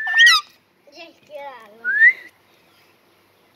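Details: A Kashmiri ringneck (rose-ringed) parakeet talks in a quiet room: a sharp, high whistled note, two lower wavering speech-like phrases, then a rising whistle, all within about two seconds.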